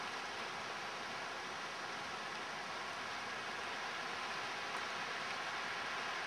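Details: Steady, dense hiss of rain falling on surfaces fills the whole recording, with no animal calls audible.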